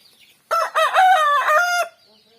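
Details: Rooster crowing in the morning: one loud crow of about 1.3 seconds, a rough, harmonic-rich cry in several connected segments, with a rise and a sustained wavering middle before it drops off, in otherwise quiet surroundings.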